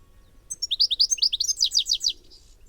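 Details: European Goldfinch giving a rapid, bright, tinkling twitter of high, liquid notes, fast and run together for about one and a half seconds.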